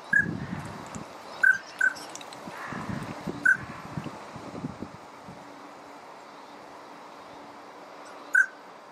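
Yellow-billed pintail giving five brief, clear whistled notes at irregular intervals over low rumbling background noise.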